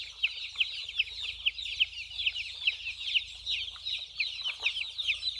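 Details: Baby chicks playing and drinking water, a dense flock giving high, thin peeping chirps, many short downward-sliding notes overlapping continuously with no pauses.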